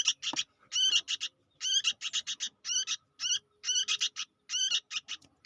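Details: Chatty young sooty-headed bulbul: bursts of coarse, buzzy chirps with bent harmonics, grouped in threes and fours, steady stream of clusters with small gaps and faint low hum beneath.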